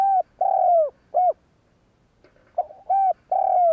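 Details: Spotted dove's lure coo to make other doves call, made of two rhythmic phrases of deep hooting notes, each with a drawn-out sliding coo between shorter ones.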